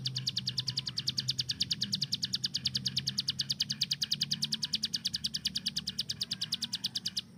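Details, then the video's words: Kept hill prinia delivering its AK-47-like 'tembakan' burst: a long, unbroken series of sharp, high clicks at a fast, even pace for about seven seconds before stopping abruptly. Faint low rumble behind. "CIBLEK GUNUNG || Melatih Speed dan Tembak Burung Gacoan"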